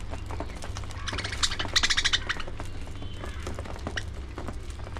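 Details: During early morning feeding time a budgerigar gives a harsh, buzzy squawk with a ringing overtone, lasting under a second, amid constant low hum and light tapping noises.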